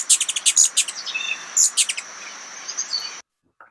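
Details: Ruby-throated hummingbird heard in a played recording, high-pitched chirping; a rapid series of very high sharp chips, roughly one burst a second, with thinner squeaky notes trailing off before a sudden cut.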